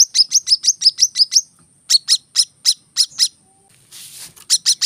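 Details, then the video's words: Brown-throated sunbird giving a quick run of high chips, then slower, spaced notes, a brief rustling noise, and a final short burst of chipping. "kolibri kelapa | manggar | wiceh | masteran temabakan rapat"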